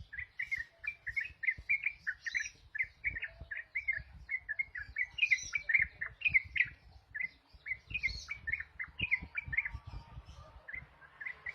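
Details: Ruby-throated bulbul giving a long trucuk sequence of bright, staccato chirped notes in rapid bursts, steady for most of the stretch, over low background knocking and rustle.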